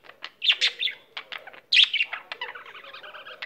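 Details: Pet budgie in full song: loud scratchy chirps and squeaks at first, easing into a softer, steady rattling warble of fast repeated notes.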